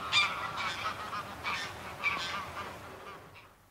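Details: A small flock of greylag geese in flight, recorded close with wingbeats and then a distant call, gives harsh, nasal honks, about five in quick succession, fading toward the end.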